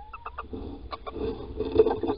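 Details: Male little owl calling in Holten, Netherlands, on the morning of 16 March while the female digs a nest scrape; a short rising whistled note opens the clip, followed by soft clucking and rustling sounds.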